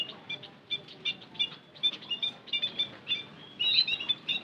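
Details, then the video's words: High, thin munia chirps used as a white-headed munia lure, given in quick pairs and clusters, swelling into a denser, louder burst near the end. "Suara Pancingan Emprit Kaji - Bondol Haji"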